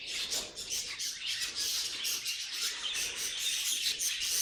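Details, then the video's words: Pet budgerigar sounds: irregular rapid chirps and raspy warbled phrases, uneven in rhythm and running without a break. "Funny Budgie Noises Compilation"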